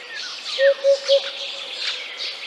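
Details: Eurasian Hoopoe from Central Russia giving three soft, low, hollow hoots in quick succession, 'oop-oop-oop', over a steady high hiss of other birds.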